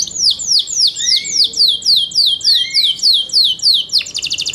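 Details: Captive Yorkshire canary delivering a string of quick descending chirps at an even rhythm, about three per second, with two soft rising whistles underneath and a short rattling trill at the end.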